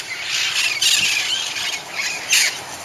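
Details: A flock of wild green parrots in Covina, returning in the evening around 7:08 as they do daily, gives harsh, overlapping squawks and screeches, louder near the start and end, with steady chatter between.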